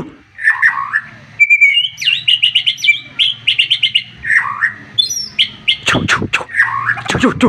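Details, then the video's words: Agitated white-rumped shama in full song, its sharp bursts meant to rouse a rival: rapid trills of whistled notes repeated in quick series, a long steady whistle, scratchy descending phrases and several loud broad clicks near the end. "MURAI BATU OVER EMOSI DENGAR TEMBAKAN nya bikin lawan nya ikutan emosi dan ikutan GACOR"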